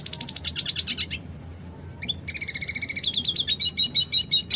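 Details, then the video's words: Dilute-coloured red siskin singing vigorously in the roll tembak style: fast metallic trills of rapidly repeated high notes, a brief pause, then rolling runs of stacked twittering notes, followed by a loud, rapid rattling series. "Siskin dilute gacor tipe roll tembak !"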